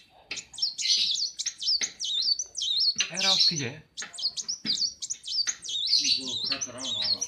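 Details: Morning song of a caged kolibri wulung sunbird at a workshop: steady run of high, sharp, chirping notes with quick up-and-down slurs, a brief lower murmur of voices in the background.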